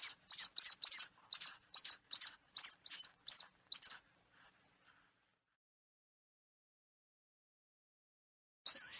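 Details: Falcon sound played to chase away pigeons: about a dozen loud, sharp, high notes repeated rapidly for four seconds, then silence, then a final harsh note.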